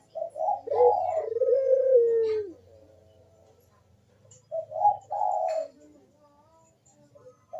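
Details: Barbary dove coo from a lure track for lazy doves: a few quick stuttered notes run into a long, slightly falling coo, the sequence returning after a pause, over a low steady hum.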